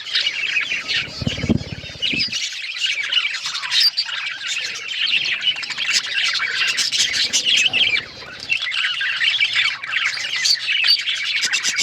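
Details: Pet budgerigars in a lively flock chorus of overlapping warbles, squeaks and harsh squawks, constant and high-pitched; a brief low rumble near the start, then a short dip in the chatter before it resumes.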